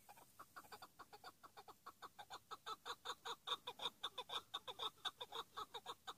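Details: Chukar partridge of the hıngırmacı kind, used as a tethered hunting decoy, delivering a rhythmic chuck-chuck series that builds steadily louder, notes spaced about half a second apart.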